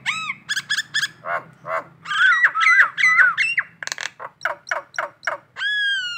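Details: Indonesian collared kingfisher giving the morning ngekek call: a hurried sequence of harsh, buzzy notes and wavering slurred whistles, ending in a long steady nasal note.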